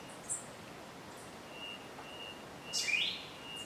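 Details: Cuban solitaire singing around 11 am at Cueva de los Portales, Cuba, 28 Feb 2017, by a karst rockface where about eight birds were present, two singing: a faint drawn-out pure whistle with squeaky end flourish, high thin notes earlier, soft hiss.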